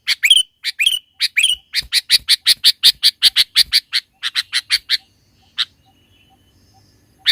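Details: Sooty-headed bulbul recorded in the mountains as a lure to attract and provoke rival birds: a rapid chatter of harsh, clipped notes, about four per second, slowing and fading into a few spaced single notes.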